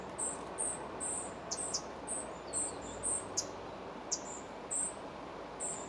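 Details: Spotted flycatcher at a nest in the Moscow region, July 2023, during feeding: around a dozen high, thin, squeaky notes in irregular bursts, mixed with several sharp clicks or snaps, over low steady background hiss.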